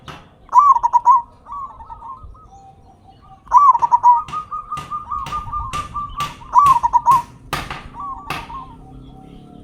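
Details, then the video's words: Vocal local zebra dove used as a lure for other doves: three strong trilling coo phrases, soft coos running between them, and a long run of loud clicking taps through the second half. "Perkutut Lokal Gacor Suara Besar Pancingan Burung Perkutut Agar Cepat Bunyi"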